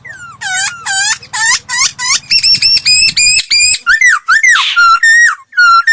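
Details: Laughingthrush lure song for voice training: rapid sequence of looping, hooked whistled notes, then a faster series of sharp upswept notes and falling slurs, with a low hum underneath.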